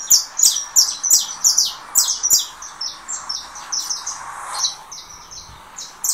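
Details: Saffron finch, 'russo', coming out of moult, singing against a canary played from another phone: fast bright chipping notes in quick repeated bursts, about three per second, with a man talking briefly at the start.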